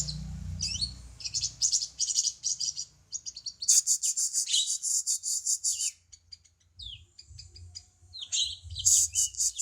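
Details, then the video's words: Cucak cungkok bulbul song recorded for training songbirds: long runs of fast, dry, high chatter repeated in pulses, broken by brief thin whistles and downward-swooping notes, over a faint low rumble. "Cungko masteran burung kicau"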